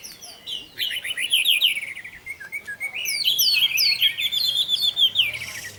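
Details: Orange-headed thrush singing in the 'teler' style, used as a lure to prompt other thrushes to sing; a rapid, varied stream of high, sweet whistled phrases and trills with quick rising and falling notes, nearly continuous.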